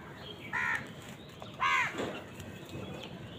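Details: House crow calling while crows fight wild birds for food: two loud, harsh, downward-curving caws about one second apart, followed by softer rough calls and faint background bird noise.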